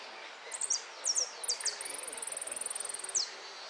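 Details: Hooded siskin singing during a competition final in Merlo on 13 January 2013: clusters of piercing downslurred notes, then a long, even machine-like trill of about twenty quick pulses ending in a falling slur.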